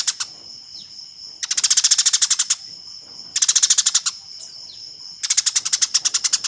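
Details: Eurasian tree sparrow fighting call, a master recording for competition birds: three long bursts of dense, harsh chirping, each about a second and a half, divided by quieter spells carrying a faint steady whine.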